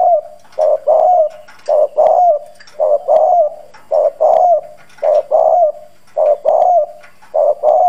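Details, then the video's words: Spotted dove cooing as a lure to rouse wild doves, in a hoarse, firm voice: low, husky two-part coos repeated steadily about once per second, each a short note followed by a longer rolling one. "Cu gáy mồi Cứng Gù giọng đồng khàn kích bổi nhanh nổi"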